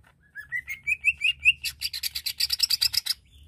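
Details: Greater green leafbird song to provoke aggression in other leafbirds: a climbing series of short whistled upslurs, accelerating into a rapid, loud, buzzy rattle of harsh notes.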